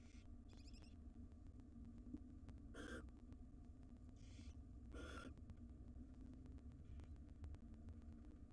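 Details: Wild barn owls in a nest box, a male tending nestlings; scattered short rasping hisses, some fainter and some stronger, spaced one to two seconds apart, against a low droning background.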